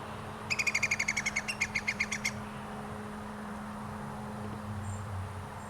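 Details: Iberian green woodpecker (Picus sharpei) at Zamudio, Txorierri, on 2 July 2022, giving a rapid run of about fifteen sharp, clipped notes over two seconds, then quiet with a steady low hum behind.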